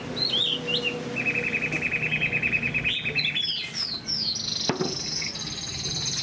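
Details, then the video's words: Moulting caged Chinese hwamei: a few high whistles, then a long fast trill of evenly repeated notes for about two seconds, followed by sharp rising slurs, a loud click, and a sustained very high whistle. "Chim họa mi đang thay lông, bộ to đẹp, hót cao cầu"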